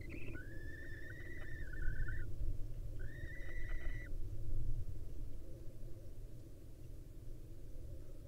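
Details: Male barn owl departing its day roost to mate with the female at a live camera in Israel; two extended, level whistled notes with a short rise at the start, then only low background hum.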